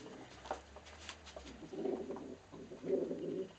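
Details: Male pet pigeon indoors, defending his nesting area and unhappy at a person peeking in, giving low, throaty coos in two short bursts, with faint clicks and rustling earlier.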